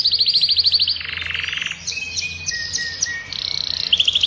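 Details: Caged adult male Belgian canary, Agatha breed, singing to warm up a female and train fledglings: high quick trills, a lower buzzy roll, then sustained whistled notes and a sparkling trill, with faint low hum.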